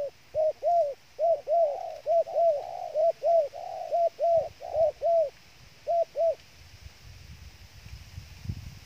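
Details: Decoy dove for trapping giving a brisk regular string of short hooked coos, about one per second, pausing briefly, then two more before faint low rustling.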